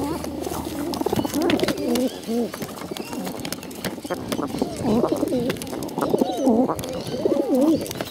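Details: Bottle-fed pigeons, hungry, calling in wavering, wobbling squeaky wheezes, grouped in bursts with short pauses, growing louder toward the end; scattered clicks and tapping in the background.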